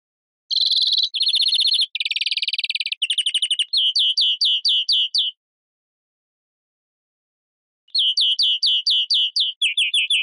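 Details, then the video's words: Greenfinch song running through several trills of changing pitch and speed, then a series of separate sharp down-slurred notes. After a pause the separate notes and trills return. "Carduelis Chloris Verderon song"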